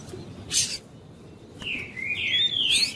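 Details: Double-collared seedeater of the tui-tui type, a female calling to excite the male. A sharp click, a pause, then a long slurred whistle that rises and wavers, ending with another click.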